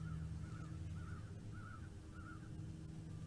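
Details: Live nest-cam recording of a bald eagle, 09.12.2021 at 15:58: four quavering, slightly warbled call notes spaced about every half second, partly masked by heavy low-frequency hum.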